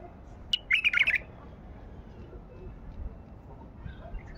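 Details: One brief, loud, gurgling phrase from a white-eared bulbul in the wild during hand trapping, followed by quiet background hiss and faint distant chirps.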